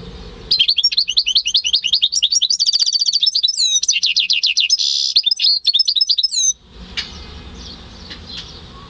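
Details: Home-bred European goldfinch × canary hybrid singing in May 2015: a long, fast run of high, sharp chirps and twittering notes, rattling trills and a couple of upward-swept whistles, lasting about six seconds before stopping into quiet room noise.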